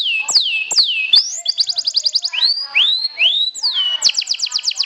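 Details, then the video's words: Champion canary, sobek style, singing to taunt and subdue rivals. Two falling swoops lead into a quick high trill, then rising curved phrases and a final burst of rapid clipped notes. "SUARA KENARI SOBEK SOBEK JUARA NGETRIL TAKLUKAN LAWAN, PANCING EMOSI!!!"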